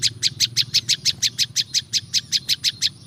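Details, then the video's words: Natural recording of a prinia (prinjak lumut) used for luring wild birds. Bright, high chip notes repeat quickly and evenly, roughly three per second, over a soft low background rumble. "SUARA BURUNG PRINJAK LUMUT"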